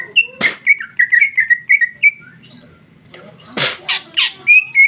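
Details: Female greater green leafbird singing a rich ngeplong fill; a fast string of bright chirped whistles, a pause, then harsh rasping notes and more clear whistles.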